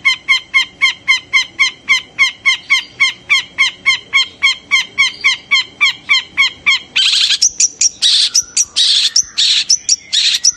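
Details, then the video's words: Long-tailed shrike calling to excite other shrikes into song. A long, even train of clipped nasal notes at about four per second, then loud, rough screeching bursts. "Cendet teriakannya bisa bikin cendet lain emosi birahi dan langsung gacor seketika"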